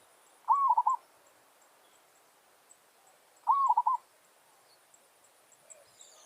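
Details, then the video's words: Territorial challenge song of a village zebra dove kept for luring wild birds: two rolling, trilled coo phrases about three seconds apart over a quiet rural background. "Merbok kampung - Anggar buat hal..pijak tak jatuh. Burung hutan siap bagi tandang."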